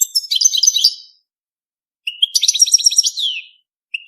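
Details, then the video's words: European goldfinch song for mating, two rich phrases of fast rattling, tinkling trills with a descending slur at the end of the second, separated by a pause, plus a short note at the close. "5 دقائق من تغريد الحسون بدون توقف .تزاوج الحسون. صوت رائع"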